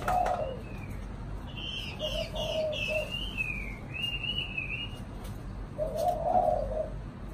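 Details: Caged spotted dove of the chạm đồng cooing style, kept as a pet bird in Vietnam, giving low, mellow coos in three separate bursts, with higher, thin twittering phrases from other birds in between and steady background hum.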